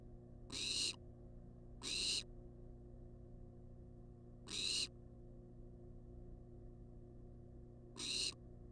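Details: Wild barn owl in a monitored nest box demanding food, filmed on a live cam: harsh, hissing screeches about half a second long, four in the clip at uneven gaps, over a steady low electrical hum.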